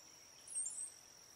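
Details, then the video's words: Brown-headed cowbird giving one thin, very high whistle that slides upward and lasts about a third of a second, over a steady high insect drone. "Brown headed cowbird call / song / sound"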